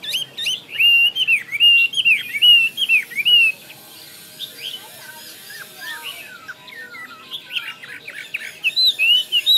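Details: Chinese hwamei song: a bright burst of ringing whistled slurs for about three seconds, a quieter pause with soft scattered notes, then strong whistles return at the end.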